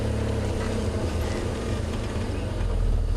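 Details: Steady low engine rumble of a vehicle idling or driving, with no animal calls audible.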